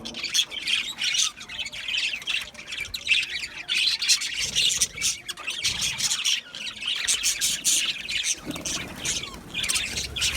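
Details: Budgies chirping and squawking in uneven bursts, busy overlapping chatter with short pauses between loud clusters.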